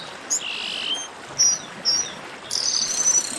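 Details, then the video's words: Chestnut-capped blackbird 'baderna' chorus: a sustained high buzzy note, then sharp downslurred whistles about every half second, ending in a dense burst of buzzy overlapping notes from several birds. "Baderna de Garibaldi"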